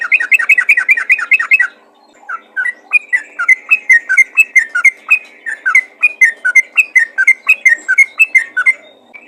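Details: Sooty-headed bulbul calling to other bulbuls: a rapid run of loud bubbly chirps, then a pause and a longer series of clear, rising-and-falling whistled notes, about three per second. The background is quiet.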